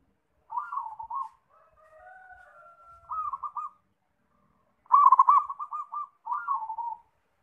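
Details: Zebra dove (perkutut) in lively song: several rolling, staccato coo phrases with fast beats; a faint steadier tone sounds between phrases; otherwise quiet.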